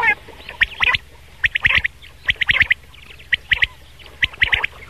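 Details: Rain quail calling in the morning, recorded for luring birds during hunting: clipped, rasping high notes in clustered bursts roughly once a second, separated by short quiet gaps.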